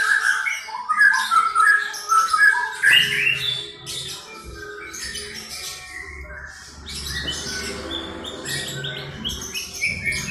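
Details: Eleven-month-old white-rumped shama singing a lyrebird imitation: varied, loud whistled and chattering phrases in quick succession for the first four seconds, then softer scattered notes over a low background rumble.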